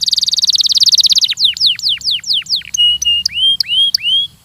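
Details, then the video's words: Training song of a Belgian canary: a rapid buzzy trill gives way to repeated downward-sweeping whistles, then rising, upturned whistled notes spaced about a third of a second apart. "ESPETACULAR canário belga,,! 30 MINUTOS DE TREINAMENTO DE BELGIUM CANARY VOCÊ VAI CANTAR MUITO"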